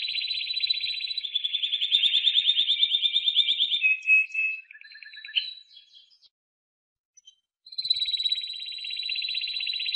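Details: Timbrado canary song: long rolling trills of rapid repeated notes, shifting to a lower rattling run and brief buzzy phrases, a pause of about a second, then another steady high rolling trill.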